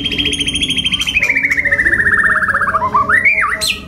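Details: White-rumped shama of F5 class with kasaran filling delivers a long rapid trill that slides steadily downward in pitch, then twists into looping whistled notes and a sharp upward squeal.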